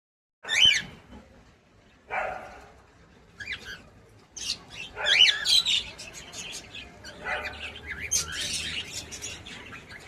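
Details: Pet cockatiel giving a series of sharp, warbling chirps and squawky notes, scattered bursts with short pauses, in a quiet room.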